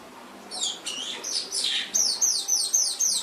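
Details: Canary song from a training recording for pet canaries: several bold, downward-sweeping whistled notes, then a fast run of sharp, repeated high notes, about five per second.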